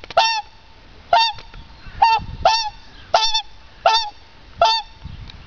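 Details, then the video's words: Captive whooper swan at Tierpark Berlin greeting its keeper: loud, bugling honks repeated about every second, seven in all, each a brassy note with a sharp onset. "Begrüßung durch Singschwan Luise"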